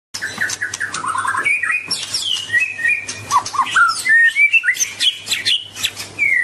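A White-rumped shama sings a rich, varied song of fluted whistles, quick chattering runs and sliding notes, with barely a pause between phrases.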